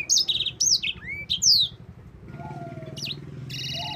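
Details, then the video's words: Yellow-fronted canary (sanger) singing as a master recording to teach other songbirds: loud, clear whistled notes sliding up and down in quick phrases for almost two seconds, then quieter scattered notes over a steady low engine-like hum. "Kicau burung sanger gacor ngerol panjang cocok untuk pancingan dan masteran."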